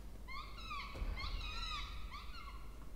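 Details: Two Peregrine falcon chicks being fed in a nest box in a water tower at Charles Sturt University, Orange, New South Wales, Australia, 20 October 2024. They give loud, harmonic wailing calls that slide downward and overlap, repeated rapidly.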